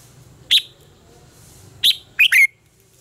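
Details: Red-whiskered bulbul contest song used as a training lure: two separate bright chirps, then a fast two-note phrase sliding down into a whistle, over faint low background noise.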